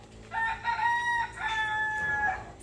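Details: Chickens at a lodging in Bocas del Toro, Panama, where many birds are kept like a chicken zoo. A rooster gives two long, steady, drawn-out crows, each held level before tailing off, with no other clear sounds.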